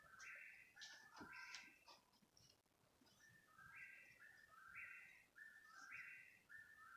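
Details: Calling at 3 in the morning for about thirty minutes, a bird repeats clear stepped whistles, high then lower, in quick back-to-back phrases. Faint chirps and low rumbling sit in the background.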